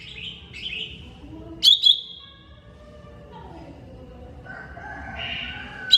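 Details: Greater green leafbird, mini type, training song: two short rising whistles, a loud paired chip with a held whistle, softer lower notes, and a burst of hoarse chatter before a final chip.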